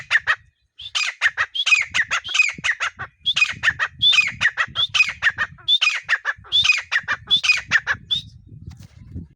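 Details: Desi partridge giving a long run of loud, harsh, rhythmic calls, phrases of rapid clipped notes each ending in a sharper rising note, repeated steadily with a brief pause, faint low rumble beneath.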